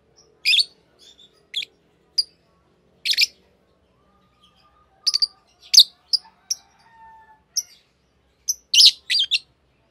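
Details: Sharp, high chirps from a green pair of Fischer's lovebirds come in scattered single notes and small bunches, with quiet gaps and a faint low tone in the background.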